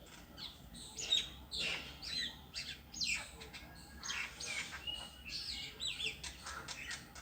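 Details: A bird sitting alone on a tree gives a rapid run of sharp, high chirps and twittering notes, closely packed and uneven, with steady low background hum.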